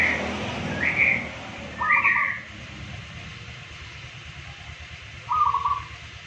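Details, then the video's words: Local zebra dove, one of two birds compared, singing its daily song. Two short rolling phrases of quick coos, one early and one near the end, with louder rising whistled notes at the start and a low background hum. "Perkutut Lokal Gacor Harian Bersuara Emas"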